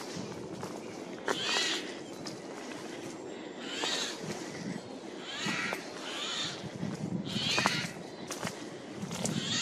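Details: Eurasian jay heard in a forest on 15 April 2024, flying from tree to tree: hoarse, scratchy screeches repeated every one to two seconds over steady rustling ground noise.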